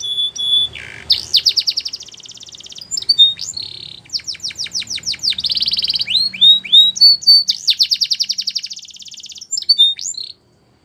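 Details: Canary in full song, alternating rapid rolling trills with clusters of sharp descending chips and bright whistled notes, phrases changing every second or two before stopping abruptly.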